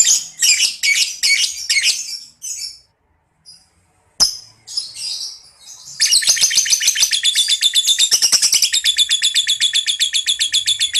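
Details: Ngekek chattering of a lovebird, played to make young 'paud balibu' birds respond. Bursts of shrill chirps and a brief pause give way to a sustained fast rattling trill of very high notes, unbroken to the end.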